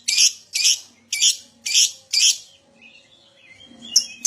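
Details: Lovebird lure recording meant to spur other lovebirds into ngekek song; five loud harsh screechy bursts roughly every half second, followed by faint thin whistles and a final sharp chip.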